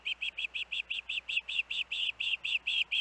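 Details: Osprey at the Hellgate nest among its young, recorded August 23, 2024: loud, insistent whistled chirps repeated about five times a second, sixteen in all.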